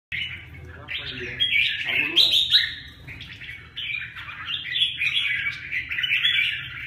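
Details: Red-whiskered bulbul of the Huế type singing a fast, dense run of chattering, warbled notes with short breaks, phrases tumbling one after another; a steady low hum lies beneath.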